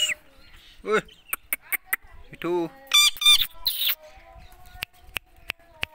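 An Indian ringneck parakeet gives a string of harsh, high squawks and screechy chatter, with sharp clicks between the bursts.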